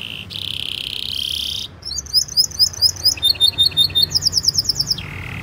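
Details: Canary song used as a training recording for young canaries, in a fast, tight rolling style: a buzzy high trill, a pause, then rapid series of sharp rising whistled notes ending in a lower buzz.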